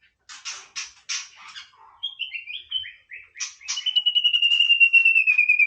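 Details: White-rumped shama singing casually: harsh buzzy bursts, then a run of short descending whistled notes, ending in a long, pure, slowly falling whistle with a rapid pulsing beat underneath.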